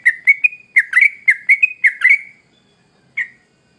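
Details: Sooty-headed bulbul singing vigorously: a quick run of about ten bubbly, slurred notes, mostly flat or rising, in a fast jerky phrase lasting two seconds. A pause follows, then one more short note. No other sounds.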